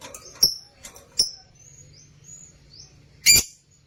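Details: Lutino opaline lovebird in a cage making a few isolated sharp chirps with faint thin whistles between them, then one loud harsh squawk near the end in an otherwise quiet room.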